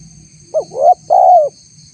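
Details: A single mellow phrase of the spotted dove, recorded as a lure for wild doves: a brief note, a coo sliding upward, then a drawn-out coo that falls away. Faint constant hum in the background.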